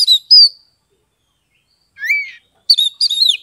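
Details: Oriental magpie-robin song from Kebumen, Central Java, Indonesia, used to prompt reluctant birds; short whistles, a rising slurred note after a pause, then a quick chirping phrase.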